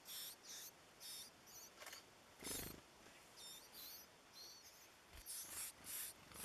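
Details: Yellowish flycatcher (Empidonax flavescens) in Costa Rica, feeding its nestlings, gives thin, very high, buzzy notes in quick bursts about twice a second, with a couple of dull thumps.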